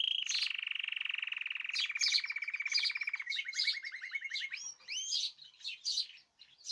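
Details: Caged birds singing as a group on 14 March 2026: a steady, rapid buzzing trill lasting several seconds under bright, sharp chirps, ending in looping whistled notes and scattered twitters.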